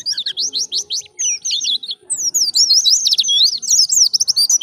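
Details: Rapid, high-pitched white-eye twittering in the 'ngalas' wild style, meant to draw in other white-eyes: dense runs of thin, swooping whistled notes, accelerating into a continuous chattering stream in the second half.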